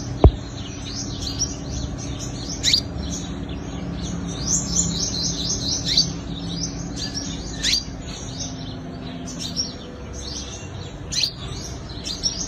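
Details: Olive-backed sunbird fighting song used as a lure for catching birds: high, thin twittering phrases of quick rising and falling notes, repeated across the clip over a steady low hum, with a sharp click near the start.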